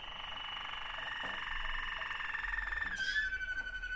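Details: Two Waterslager canary brothers singing: a long, steady, even rolling trill held for about three seconds, then a sudden shift to a lower, clear whistled roll that continues to the end.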